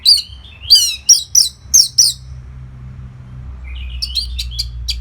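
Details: Orange-headed thrush training song for fighter birds: about six loud, high slurred whistles in quick succession, then after a pause a softer, more distant series of thin chips and whistles.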